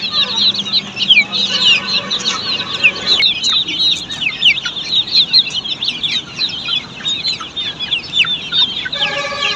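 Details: Brood of Australorp chicks at a poultry farm, a continuous stream of shrill falling peeps from many birds at once, with a low steady hum in the background and a tonal whine near the end.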